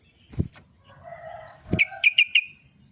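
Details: Sooty-headed bulbul with an everyday song like a yellow-vented bulbul's: two dull knocks, a soft warbling phrase, then four bright, clipped chirps repeated rapidly at the end.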